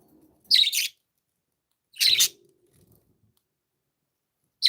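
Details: Happy pet budgerigars chirping indoors: two loud, harsh broadband chirps about one and a half seconds apart, a third starting at the end, with faint low murmuring between.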